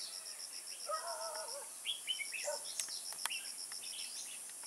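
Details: During bulbul trapping in Kim Bôi, 21 May 2018, a red-whiskered bulbul gives brief rising and falling whistled notes. Lower wavering warbled phrases and a few sharp clicks are also heard, with continuous insect pulsing behind.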